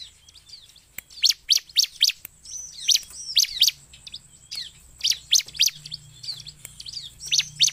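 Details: Bar-winged prinia in lively voice, used for luring birds: spaced clusters of sharp, high, clipped notes about four per second, interspersed with thin slurred whistles, a low hum in the background.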